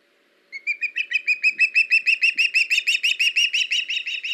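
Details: Live nest camera ospreys on 21 August 2019, the male bringing the female a fish, a young bird in a tree; after a moment of quiet, whistled chirps start softly and build to a loud rapid series, about three per second.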